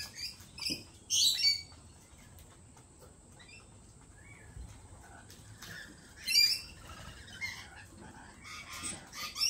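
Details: Lorikeets giving harsh, high, screechy calls in short bursts near the start, middle and end, with quieter chatter and faint background noise between.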